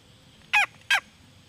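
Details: Female red junglefowl uttering two clipped, nasal squawks about a third of a second apart. Each note drops slightly in pitch. Quiet background.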